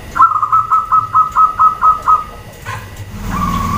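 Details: Female zebra dove call used to prompt males to reply; a series of nine crisp, evenly spaced coo pulses at steady pitch, then a brief noise and a faint drawn-out tone.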